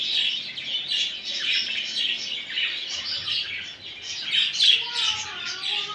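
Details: Budgerigars singing to encourage a male to mate: continuous high twittering from several birds, with some harsher squawks, a few lower gliding whistles after the fourth second, and faint low murmurs.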